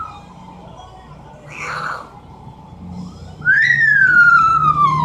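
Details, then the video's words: Pet Amazon parrot indoors mimicking a falling bomb noise: a brief hoarse burst, then a long, loud, harmonic whistle that rises slightly and slides steadily downward over about two seconds; a low hum underneath. "The many sounds of an amazon parrot."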